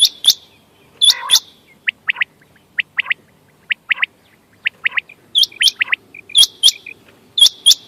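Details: Quail calls used for hunting, recorded 14 May 2025: sharp, high chirped notes in quick pairs and triplets, with louder harsh buzzy notes opening and closing the sequence, repeated roughly once a second over quiet background.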